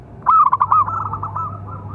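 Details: Local zebra dove with a powerful voice, used as a training and luring call: one loud burst of quick pulsed coos that trails off into softer rolling notes, with a faint low hum.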